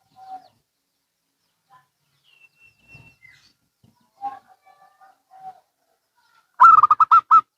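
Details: Zebra doves, local and Bangkok birds answering each other: soft scattered low coos and a faint thin whistle, then a sudden loud run of six quick bubbling coo notes at the end.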